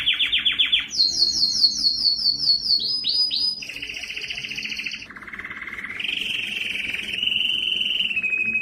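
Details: Canary song recorded to encourage males to sing and teach chicks: quick descending chirps, high rapid trills, a lower rolling tour, then a sustained smooth trill.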